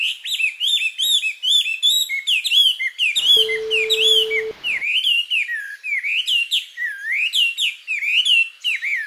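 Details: Summer song of a Japanese white-eye, taken close up in mid-July: continuous rapid, high-pitched warbling of slurred chirps and twitters in complex phrases, with a plain beep tone cutting across the middle for about a second.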